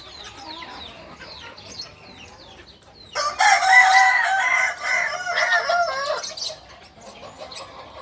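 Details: Native kukuak balenggek cock from Solok in West Sumatra gives a strong, rich crow of roughly three seconds, broken into several undulating stepped syllables, after a quiet stretch of scattered small-bird chirps.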